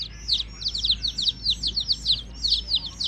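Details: A cluster of baby chicks cheeping rapidly, high slurred falling notes tumbling over each other in a lively, almost unbroken chatter above a low hum.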